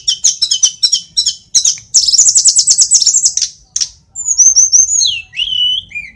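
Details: Tledekan gunung (sulingan) from Kokap, Yogyakarta, in lively song: rapid repeated chattering notes building into a dense high trill, then clear slurred whistles that step downward.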